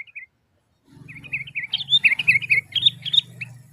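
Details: Sooty-headed bulbul calling to draw answers from other bulbuls: a few short chirps, then a quick, varied chatter of bright notes over a steady low hum.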